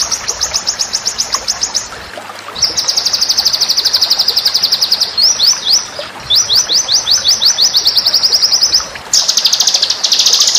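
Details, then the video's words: A white-rumped shama in a training master recording gives extended fast trills of crisp, high, downslurred notes in several long runs, briefly pausing between them, against a low hiss. "masteran murai batu bikin murai anda istimewa dan jadi raja disetiap gantangan"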